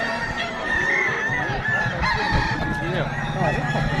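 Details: Kukuak Balenggek roosters at a crowing contest giving drawn-out, wavering crows with many linked syllables, overlapping, over a background of crowd chatter and low rumbling applause.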